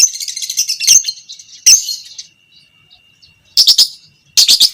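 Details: Violet parblue creamino lovebird of fighter type making long 'ngekek' chatter as a training recording for other lovebirds: short bursts of shrill, rapid chattering separated by quiet gaps of about a second or more.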